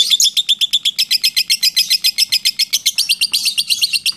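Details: Long lovebird 'ngekek' trill of the 'ngetik' type: a high, fast-ticking chatter of sharp clipped notes, steady and unbroken, growing slightly harsher toward the end, with a faint low hum underneath.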